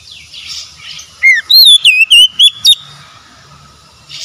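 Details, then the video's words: Oriental magpie-robin (kacer) song played as therapy to restore a stressed, silent bird: a falling whistle, then five loud, clear, slurred whistled notes at a similar pitch, followed by faint chirping and low background hiss. "TERAPI TERAMPUH PEMULIH KACER SETRES BISU MACET BUNYI LANGSUNG GACOR"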